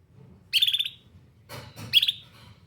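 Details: Canary sounding two brief, high, slightly buzzy chirps separated by a soft low thump or rustle.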